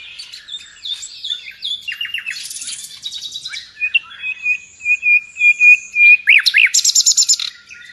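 A nightingale sings a rich, varied song: quick whistled phrases, buzzy bursts, fast trills and a run of loud repeated notes, with no other sounds.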